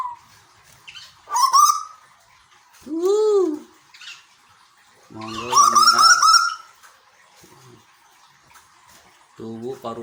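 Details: Bogor, Indonesia, captive Asian koel: loud rising whistles around two and six seconds, joined by rough harmonic squawks and an arched lower note, with quiet pauses between.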